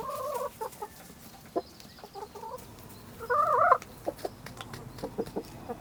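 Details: Village hens and rooster running about and playing in the countryside; a hen gives short nasal clucks, then a louder drawn-out squawking cackle midway, followed by scattered soft clucks and rustling.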